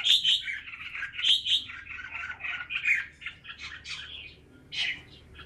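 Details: Red-whiskered bulbul at a Ba Vì bird farm sings sweet, whistled, warbling notes that start loud and trail off softer, ending with one sharp chirp.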